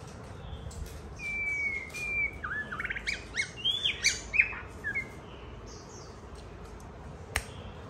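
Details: White-rumped shama in song while a child plays alongside: a string of loud, fluty whistles, some slurred downward and some sharply rising, bunched in the middle, followed by quieter background and a single click.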